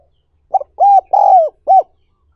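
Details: One clear phrase from a spotted dove, recorded as a training call for newly caught wild doves: a short note, a level coo, a drawn-out falling coo, then a clipped last note, with silence around it.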